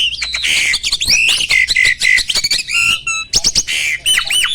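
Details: Mature male Asian pied starling in breeding condition, pumping its body while singing, ready to mate: a dense, fast medley of harsh squawks, clicks and high whistled slurs, with sustained whistles near the middle and rapid rising notes at the end.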